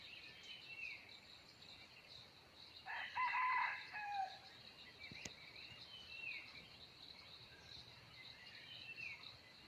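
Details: Wild red junglefowl cock crowing, recorded 17 March 2020: one drawn-out, tonal crow rises out of a steady insect drone a third of the way through, with faint chirps of other birds before and after.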